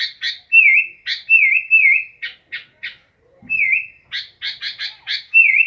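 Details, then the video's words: Sooty-headed bulbul singing: short downward-curving whistled notes alternating with sharp chirps, given in quick bursts with brief pauses, clean background. "Burung kutilang asyik"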